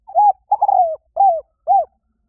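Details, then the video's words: Spotted dove giving the coo used to lure birds: two longer, slightly wavering coos then two short rounded ones, delivered in a steady sequence with little else audible. "เสียงนกเขาใหญ่ หมานๆ ต่อเข้าเร็ว ป่าไหนก็เข้า"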